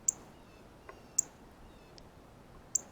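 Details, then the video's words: Male Northern Cardinal eating seeds off a ripe banana at a feeder, alone, giving its feeding chirp: sharp, very high, single chip notes spaced about a second or more apart, with a faint tap between them. "Cardinal 🐦Meets Banana - Feeding Chirp Sounds"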